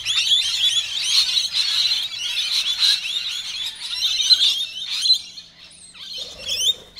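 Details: Rainbow lorikeets in a neighbourhood, feisty and aggressive toward one another, screech without pause in harsh, high, rasping bursts that run together, with a brief lower squawk near the end.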